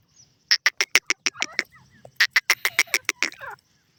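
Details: Grey francolin; two rapid series of loud, clipped, harsh repeated notes, each series of about eight notes, ending in a short rattly flourish.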